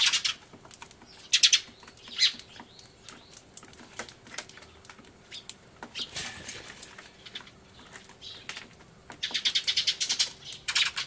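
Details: Commotion among sparrows, recorded 24 March 2013 with a camcorder beside a turtledove; fainter, sparse chirp bursts and clicks over quiet background, building into a dense chattering spell near the close.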